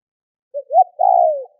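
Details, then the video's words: Spotted dove calling to spur other doves into calling: one phrase of a soft short coo, a rising upturned note and a sustained, slightly falling coo, with nothing else heard. "Tiếng cu gáy kích bổi nhanh gáy hiệu quả"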